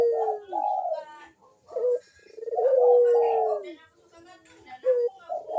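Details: Puter dove (Barbary dove) in full cooing, a lure to set off lazy birds. Several low husky coo phrases, each a rolling start followed by a drawn-out falling note, with short gaps between.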